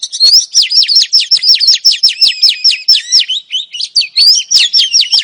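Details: A female oriental magpie-robin calls to draw a male into song, giving a quick, regular series of sharp downward-slurred notes, about four per second, then looser chattering phrases at the end.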